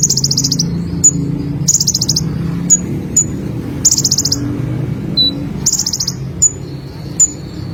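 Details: Olive-backed sunbird (konin) alternating short shrill pulsed trills with crisp high single chips and thin whistled notes, lively and irregular, over a low background hum.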